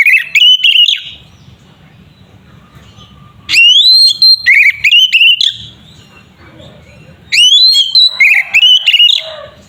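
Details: Oriental magpie-robin singing its 'tarung' fighting style, aimed at making other kacer emotional. Three bursts each start with a rising whistle and break into rapid clipped warbles, separated by pauses of about two seconds filled with faint low hum.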